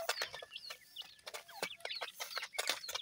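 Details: Grey francolin chicks aged seven days cheep while feeding, high slurred notes tumbling over each other amid frequent sharp pecking clicks.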